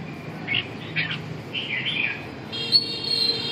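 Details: Red-whiskered bulbul giving short, warbled, slurred notes in three brief bursts during the first two seconds, set against a steady mechanical hum and tonal drone in the background.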